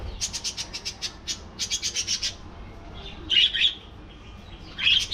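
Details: Colony of budgerigars: a quick series of dry, evenly repeated clicking ticks, followed by two louder bursts of high, squeaky chirping chatter.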